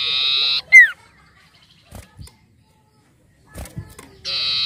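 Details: Common iora, used as a lure recording to prompt untrained ioras to sing: harsh, buzzy rasping notes open and close the phrase, with a single clear whistle sliding downward between them and a few soft knocks.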